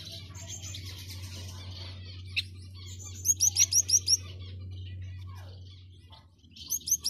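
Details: A male Gouldian finch singing in courtship gives very high, thin notes, with a quick run of six sharp chips and another burst at the end, over a steady low hum.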